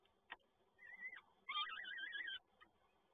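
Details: Peregrine falcon at the Toruń nest on 7 May 2022, as the male brings another prey delivery: a brief wavering whine, then a louder, harsh, chattering wail lasting about a second, with a faint click and steady background hum.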